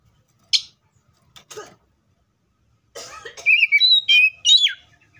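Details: Oriental magpie-robin in the wild: after a few short clicks and a pause, a burst of high, clear whistled notes, some rising and some falling, in quick uneven succession.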